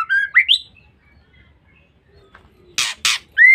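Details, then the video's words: Female white-rumped shama calling, used as a lure to provoke males: a couple of rising whistled notes, then two loud harsh rasping bursts and a final clear rising whistle. "Pancingan Suara Murai Batu Betina"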